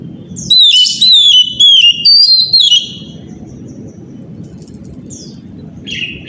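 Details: Oriental magpie-robin singing in the morning, used as a lure to prompt other magpie-robins to sing. Loud, clear whistled phrases, wavering and sliding downward, form a burst of about two seconds, then fainter high notes over a steady low rumble.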